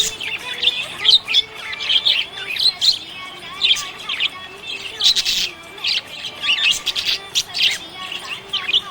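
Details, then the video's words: Happy budgie chirping: bright warbles, squeaky chirps and short scratchy notes in uneven bursts, several birds chattering over one another. "Happy budgie chirping sound"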